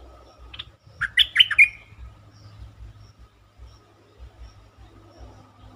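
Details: Lure recording of a bulbul singing to excite birds: a short chirp followed by a quick, loud phrase of bubbly, slurred whistles, then quieter background rumble.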